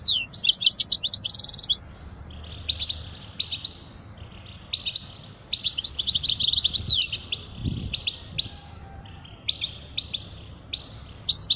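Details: European goldfinch song for teaching chicks: scattered short high chirps and brief twittering bursts, a denser trill near the start and around six seconds, with quieter gaps between phrases.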